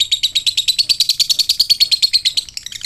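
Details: Fighter lovebird giving a fast ngekek chatter, used to provoke young lovebirds into responding: rapid harsh chirps repeated about eight times a second for over two seconds, then fading, high-pitched and buzzy throughout.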